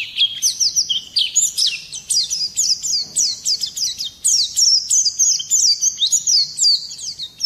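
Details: Oriental white-eye song used as a training recording to provoke other birds into singing: a fast, rolling run of high, thin chirps and sharp falling whistles, notes tumbling in quick bursts with brief pauses.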